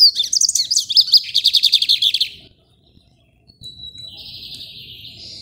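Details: Lined seedeater (bigodinho rajadinho) in a cage held in the hand, Maranhão, Brazil, delivering a rapid series of sharp repeated chirps, then a pause and a thin whistle into a softer buzzy trill.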